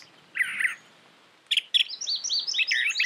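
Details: A brown thrasher (Toxostoma rufum) sings a burst of varied, rich phrases: a short warbled pair, then harsh clipped notes and a quick run of bright, changing whistles.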